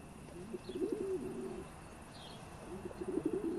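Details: A pigeon nesting in a church bell tower in the Weinviertel on a summer day gives low, throaty cooing phrases, two rolling bursts a couple of seconds apart, over a soft background hum.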